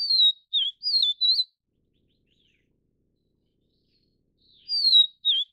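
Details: Vivid niltava (Taiwan subspecies Niltava vivida vivida) feeding chicks, giving a quick burst of thin, high whistled notes that slur downward, then a pause and a shorter two-note repeat.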